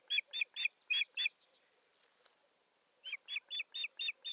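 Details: Osprey at a nest in Satakunta, Finland, recorded on 7 May 2019 by a nest camera as it brings a stick; steady strings of loud, clear whistled yelps, about four per second, with a short pause between two bouts.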